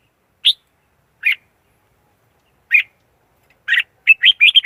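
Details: Red-whiskered bulbul decoy singing in a clean lure recording used to trap wild birds: three spaced, sharp, warbled notes, then a quick tumbling burst of chattering phrases at the end.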